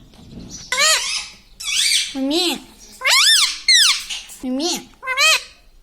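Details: Talking parrot chattering in a room: about eight quick, voice-like syllables, each arching up and down in pitch, spaced roughly every half second with brief pauses.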